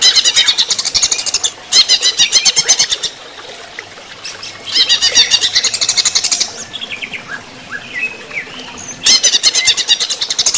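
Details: Greater green leafbird (cucak ijo) singing during running-water therapy: loud bursts of rapid, high chattering notes repeated in fast runs, broken by short pauses and a few thin rising whistles.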